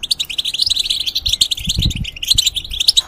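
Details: Singing European goldfinch, a caged bird changing its feathers, giving a quick, liquid twitter of high chirps and short rising notes, with a few soft low knocks behind.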